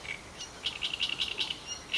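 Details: A reed warbler among green vegetation gives a run of scratchy, grating chirps, about five or six quick bursts in a row.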